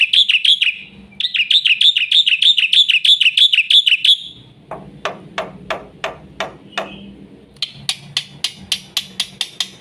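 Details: Black-winged myna in rapid full 'isian' song for young bird training: a fast buzzy trilled phrase in two bursts, then widely spaced sharp clicks, then a quicker run of high chips.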